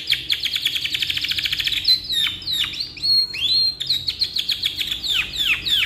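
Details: Long canary song meant for tutoring young birds: fast high rattling trill of evenly spaced notes, then sweeping downslurred whistles and buzzy rolls, loud and continuous throughout.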